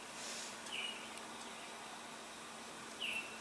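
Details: Male Baltimore oriole singing in Niagara, two short, clear whistled notes about two seconds apart, over a steady background hiss.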